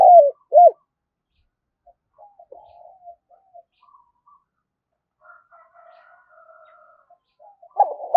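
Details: Spotted dove calling to rouse newly caught birds into cooing: two brief loud low coos, a long stretch of very faint soft cooing notes, then a loud coo at the end.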